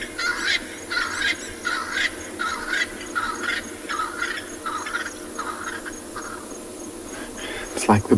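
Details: Double-banded sandgrouse flying in to drink at a South African game reserve on an August afternoon give a steady run of about ten hoarse, mid-pitched notes, one every three-quarters of a second. A sharp knock follows at the end.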